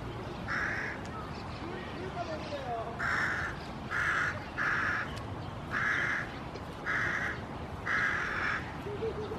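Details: Crow recorded on 5 June 2016, giving seven harsh, hoarse caws at uneven intervals, some in quick pairs and others spaced a second or more apart, over a steady low background hiss.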